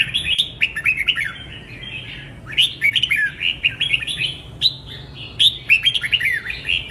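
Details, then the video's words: Red-whiskered bulbul singing a contest-training song: rapid, lilting whistled notes that slur up and down, given in quick runs and sometimes ending in a higher squeak, over a low steady background hum. "CHÀO MÀO | Luyện giọng chim hót hay hót đấu k ché - luyện má trắng hiệu quả"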